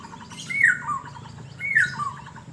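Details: Asian fairy-bluebird in Banjarmasin, calling while sunbathing: two loud slurred whistles about a second apart, each dropping in steps from a higher note to a lower one, over a faint low background rumble.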